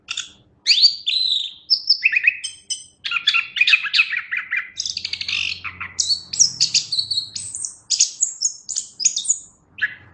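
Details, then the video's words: Varied song of a Chestnut-capped thrush, opening after a short silence with descending whistles, then dense chattering trills and high sweeping notes, steady and lively throughout; faint low rumble in the background. "Suara Burung Anis Kembang"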